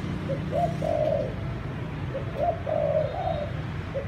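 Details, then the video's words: Malai-line dove giving thúc gù cooing, with offspring expected: two mellow phrases, each a short soft note followed by a longer rolling coo, set against a low hum. "malai dòng thúc gù bài bản"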